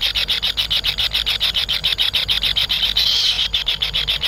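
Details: Kingfisher young in the nest beg for food from their parent with quick, rhythmic high buzzy pulses, nearly four per second, briefly merging into a louder continuous buzz near the end.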